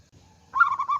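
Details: Local Indonesian zebra dove (perkutut lokal), a female calling to a male, used as a lure for silent birds: a short burst of low, stuttering coo notes after near silence.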